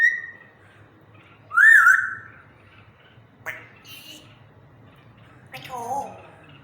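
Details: African grey parrot kept as a pet talks slowly and happily, giving a loud rising-falling whistle, a short sharp click-like burst, then a brief speech-like phrase with layered tones, in a quiet indoor setting.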